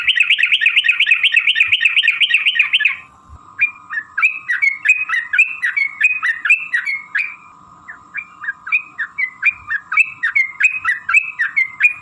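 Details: Sooty-headed bulbul lure song in long 'ropel' style; opens with a dense rapid trill of whistled notes, then spaced bubbly phrases about four per second over a faint steady hum.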